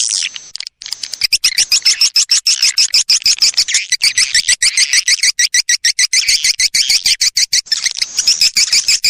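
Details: Swiftlet lure call used by swiftlet keepers to attract birds: rapid trains of high, sharp chirping twitters, a few each second, running almost without pause through the clip.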